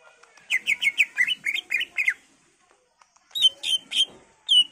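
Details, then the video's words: Lure song of a greater green leafbird, persistent and full of variation, meant to make other leafbirds reply: a rapid chain of chirps, silence, then clear whistles spaced about a third of a second apart. "Cucak ijo gacor full isian Variasi Cocok buat Pancingan agar Cak ijo lain Nyaut dan Gacor"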